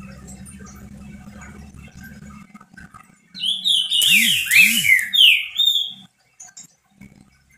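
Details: Green-winged saltator, a pet bird singing to warm up other saltators: after a low background hum, one loud phrase of rapid descending and arching whistles lasting about three seconds, overlaid by a brief rough hiss.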